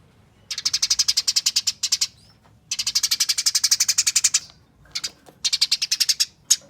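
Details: Rapid scratchy chattering of Eurasian tree sparrows in a fight, used as a lure to set other sparrows calling; long rattling runs of quick harsh notes, three main bursts with brief pauses between.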